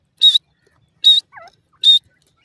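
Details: Female partridge calling from a cage: three loud, harsh, clipped notes spaced under a second apart, with a faint soft chirp between the second and third.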